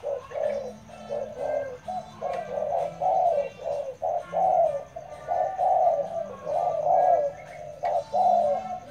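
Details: Spotted dove kept as a decoy, cooing steadily. Low, throaty syllables repeat roughly every second across the whole stretch, over a faint steady low hum in the background.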